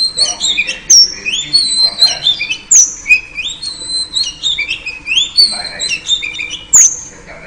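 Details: A female oriental magpie-robin, calling to draw a male, gives a steady stream of high whistled phrases that slide up and down, broken by sharp clicking snaps.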